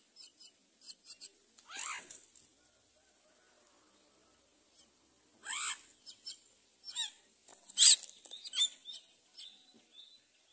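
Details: Common myna feeding its baby rice: harsh descending squawks in short bursts separated by silent pauses, with faint high chirps between them.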